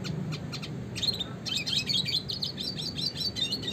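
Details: Classic red siskin in energetic rolling song for training contest songbirds: a few spaced high chirps lead into a continuous, rapid, buzzy twitter of high notes, with a low droning hum underneath.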